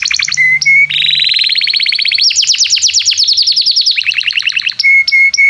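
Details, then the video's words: Canary singing with great intensity as a model for young canaries learning song: short trills and pure whistles, then a long sequence of rapid buzzy trills shifting in pitch, ending with clear repeated whistles. "Kenari gAcorr cuit cuit emosi, Pancingan untuk kenari Paud belajar bunyi"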